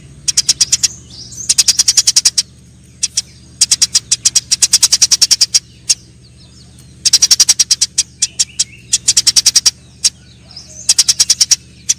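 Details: Eurasian tree sparrows in a fight make dense volleys of rapid, piercing chirps, several bursts of a second or more with brief gaps, and a low background hum throughout.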